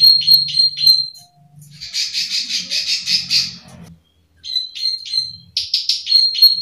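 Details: 'Klik klik' call of a plain prinia: quick series of high ticking notes, then a rapid buzzy rattling stretch of about two seconds, a short pause and more clicking notes.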